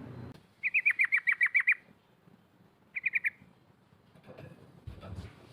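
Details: Rolling 'cok cok' call of a female sooty-headed bulbul calling out rivals, a lure recording: a fast run of about nine sharp, evenly spaced notes, then a short burst of four, with faint rustling noise.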